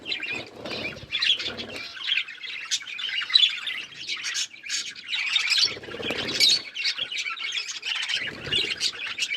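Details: Budgies eating green food, chattering steadily with dense, scratchy high chirps and squawks, broken by occasional low pecking or rustling thumps.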